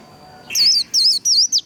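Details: Brief burst of white-eye "líu" song for stimulating singing: four high, bouncing whistled notes after a faint steady tone, each note a rapid up-and-down slur.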